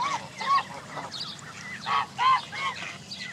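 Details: Canada geese among dozens of families with goslings at Jess Ranch Lakes Park, May 23, 2014. Distinct resonant honks sound in spaced bursts, a pair close together near the second mark, over faint background peeping.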